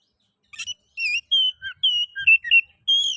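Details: Oriental magpie-robin song used to stimulate other magpie-robins to sing: loud, clear whistled notes, some rising and falling, in short phrases separated by brief pauses.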